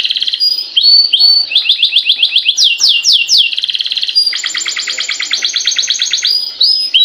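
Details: Long continuous canary song meant to set other canaries singing: high, rapid trills of repeated chirps, shifting through several tempos, with fast downswept notes midway and a dense buzzing roll in the second half.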